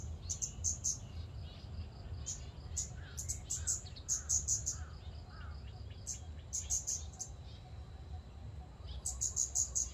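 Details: Scarlet-backed flowerpecker in a public park giving very high, thin, sharp ticking notes in quick bursts of three or four, with softer chirps of other birds and a low background rumble.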